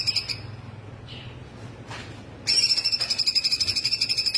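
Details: Full song of a laughingthrush (cungkok), played as training material for other birds: a brief high pulsed note, a quiet stretch, then a loud rapid trill of even pulses on one high pitch.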